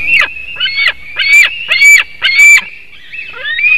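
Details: White-tailed eagle at a Latvian nest webcam, 7:06 am, 17 August 2018, screaming as it comes to the nest for a delivered fish: five harsh, high yelping screams about every half second, then a thin rising whine, over a steady high tone.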